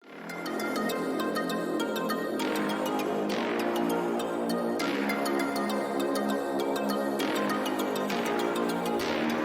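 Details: Electronic background music with steady synth tones and chimes, and no animal sounds.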